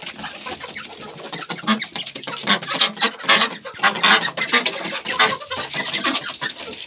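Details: Several chickens clucking while they eat, low chattering clucks at a steady pace, about one a second, over a dense layer of pecking and rustling.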